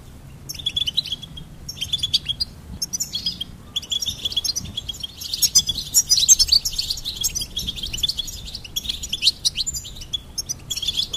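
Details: Long run of goldfinch twittering, high jingling chirps coming in clusters, growing denser and louder in the middle before continuing as steady chatter.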